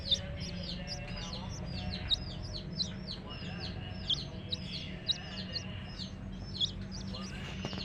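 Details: Baby chicks beside their hen chirp in a busy chorus of short, high, falling peeps, irregular and overlapping, with faint rustling and a low background hum.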